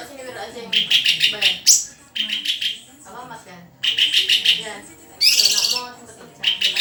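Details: White-rumped shama pouring out rapid stuttered trills in second-long bursts, mixed with sharp rising notes and scratchy high rasps, with soft background chatter in the gaps.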